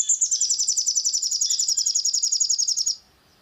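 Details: Long-tailed shrike song meant to provoke emotion and lively singing: an unbroken three-second stream of rapid, high, buzzy repeated notes, nearly four per second, ending abruptly in silence.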